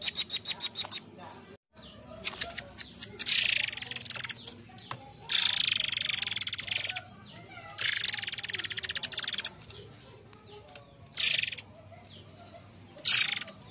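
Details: Murai Air forktail lure song: quick runs of high pulsed whistle notes mixed with long harsh rasping buzzy bursts, several in a row, with faint ticking between them.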